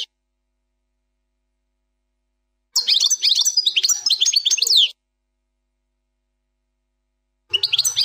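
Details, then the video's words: European goldfinch, plak mine song without errors: after silence, a roughly two-second outburst of quick, high, liquid chirps and slurred notes, with a new phrase starting at the end. "chant plak mine ,canto del jilguros plak mine,غناء حسون بلاك مين بدون غلاطات"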